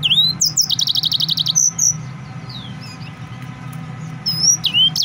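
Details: Excited male yellow-fronted canary singing: rapid runs of sharp, repeated high chirps, then rising and falling whistled notes with pauses, over a steady low hum.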